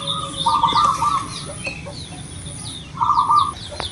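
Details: A loud, active local zebra dove from Indonesia sings to coax another caged dove into song. Two rolling, trilled coos are separated by a gap of about two seconds, with thin high chirps from other birds behind.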